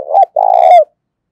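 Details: Decoy spotted dove cooing in its daily challenge to wild doves, in the 'thổ sấm' voice style. One deep phrase: a clipped opening coo, a brief gap, then a long steady rolling coo that drops at the end.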